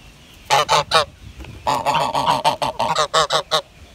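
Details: Honking of a grey goose: a short trio of nasal honks, a brief pause, then a longer run of quick, harsh repeated honks, several slightly overlapping as if more than one bird calls.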